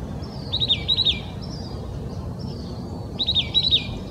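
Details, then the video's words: Oak titmouse song in Old Torrance, Los Angeles County, California, January 21, 2020: two bright phrases of rapid, buzzy high chattering notes, each given as a quick doubled burst, separated by a short pause, with light background hum. "Oak Titmouse Song"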